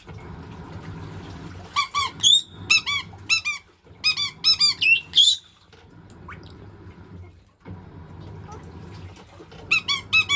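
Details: Excited pet white-bellied caique beside a running washing machine, checking the water. Rapid bursts of harmonic squeaks with hooked, bending shapes, several grouped together, a shrill squeal among them, a quieter middle stretch of machine noise, then more squeaks.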